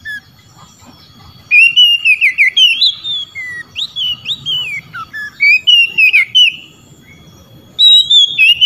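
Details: Oriental magpie-robin singing to challenge rivals that answer back: long runs of clear, sliding whistles and twisting warbled notes, a brief gap, then a fresh loud phrase at the end.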